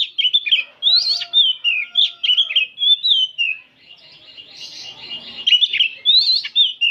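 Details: Several oriental magpie-robins in an afternoon chorus recorded for training: a near-continuous run of sweet whistled phrases, trills and slurs. A brief lull midway holds softer scratchy notes, with faint lower tones underneath.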